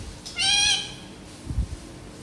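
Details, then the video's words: Pet parrot giving one short, nasal goat-like bleat, followed by a low thump of household noise. "making goat sound"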